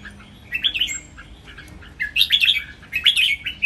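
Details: Caged red-whiskered bulbuls, three of them matched against each other, deliver a lively training song of counted phrases: a warble and a high thin whistle, then dense, bright, rapidly rising and falling chirps.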